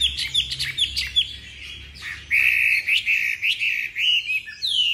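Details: Tame caged Chinese hwamei giving quick chirps, then a loud run of repeated slurred whistles, rising and falling several times a second, with low hum in the background.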